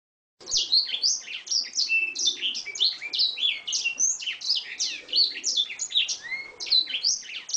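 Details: Oriental magpie-robin song played as a training recording for cage birds: a dense, unbroken stream of high, sharp chirps, whistled slurs and quick twittering notes. The notes vary constantly with no pauses.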